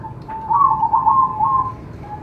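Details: Zebra dove (perkutut) singing, a recording meant to stimulate other doves to sing: one continuous, quavering, trilled coo at mid pitch lasting over a second, softer lead-in and tail, faint low hum beneath.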